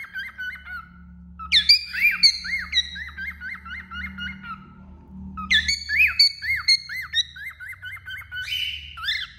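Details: Cockatiel sitting on a finger, singing in bursts: loud rising whistles followed by rapid strings of arched, bouncing notes about two per second, repeated in two long phrases with a faint low hum underneath.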